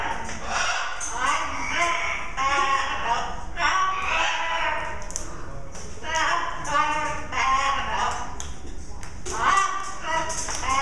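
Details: A parrot (female) sings a wavering, voice-like tune, "I'm just mad about Sapphire" to the tune of Mellow Yellow, in short rising and falling phrases, with a faint steady high whine behind it.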